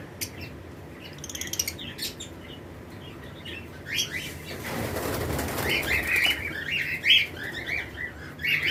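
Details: Lovebirds in a flight colony during breeding season, with other birds around: sparse high chirps, then a loud flurry of flapping wings, followed by brighter, repeated chirping calls.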